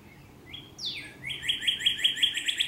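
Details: Female northern cardinal in a cloistered courtyard in Little Rock, calling her mate: a clear whistled note, then a sharp downward slur, then a quick series of about eight bright, repeated metallic notes.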